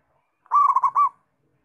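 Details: Local zebra dove singing one short rolling phrase of quick, bubbling, warbled coos that ends on a slightly longer note.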